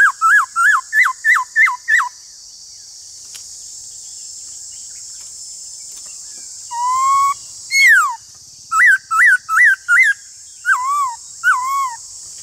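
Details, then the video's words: Black-throated laughingthrush singing in a duel with another laughingthrush: a run of six quick, clear, looping whistled notes, a pause, then a long rising whistle and further bursts of looping and down-slurred notes over a steady high hiss. "Khướu bạc má Hót Đấu với khướu ngoài"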